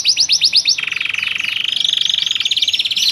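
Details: Loper canary with a captivating melodic phrasing (cengkok). It opens with about six quick upslurred whistles, then holds a long, even, buzzy trill of fast repeated notes. Some later notes rise and arc.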